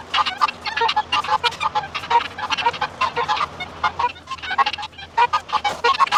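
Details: Guineafowl on a homestead ranch in the morning give rapid, harsh, grating calls in a steady chattering series over the low hum of a window fan.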